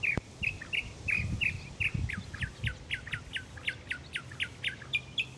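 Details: Tireless morning singing of a mockingbird seeking a mate: a sharp whistled note repeated several times, then a rapid series of clipped falling chirps repeated steadily, over faint background hiss.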